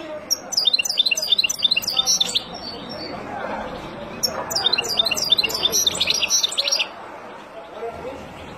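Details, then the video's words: Song of a wild European goldfinch for teaching young birds, heard as two long bursts of fast, jangling, twittering notes separated by a quieter gap, ending in near silence. "اروع تغريد طائر الحسون البري لتعليم فراخ"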